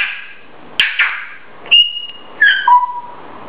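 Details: Pet grey parrot, said to scream while talking for over an hour at a time: a harsh squawk followed by clear whistled notes, one held level, then stepping down in pitch, with short pauses between.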